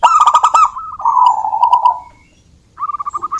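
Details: Local wild zebra dove in lively song, used as a lure to get other doves singing: a rapid stuttering burst of clicking notes, a lower drawn-out coo, a pause, then an evenly repeated run of short cooing notes.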